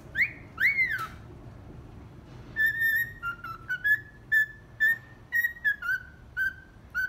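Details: Household cockatiel whistling the melody of 'Atirei o pau no gato', somewhat off-key. Two quick swooping whistles rise and fall, followed after a pause by a steady series of level, flute-like notes with slight dips between them.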